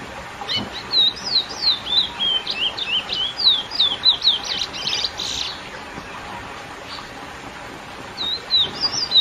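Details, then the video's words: Curió, lesser seed finch, singing its classic song to stir up females: rapid sweet whistles sliding up and down in a continuous string, steady hiss behind, a lull, then a short phrase resumes. "CURIÓ CANTO CLASSÍCO FOGUEAR FÊMEAS"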